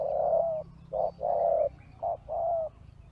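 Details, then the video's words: Spotted dove calling to lure wild birds: long, even coos alternating with brief clipped ones, roughly one phrase per second, over a low background hum. "Pikat Tekukur Di Hajar Burung Liar"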